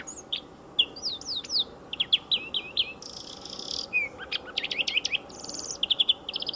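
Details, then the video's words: Song of a European greenfinch near a car racing track, a varied twitter of quick chirps, upslurred whistles and short trills, broken by two flat, buzzy wheezing notes, with soft low background rumble. "VERDIER d'EUROPE - Chant"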